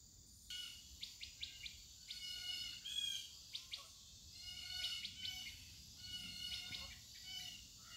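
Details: Birds chirping outdoors in quick clusters of sharp, high, stacked notes, with brief pauses between bursts, backed by a continuous high-pitched insect buzz.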